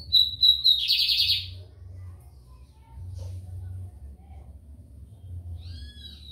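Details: Lined seedeater song recorded in São Luís, Maranhão, Brazil: three short high whistled notes quickly followed by a loud dense buzzy trill, then silence with a steady low hum and a faint whistle near the end.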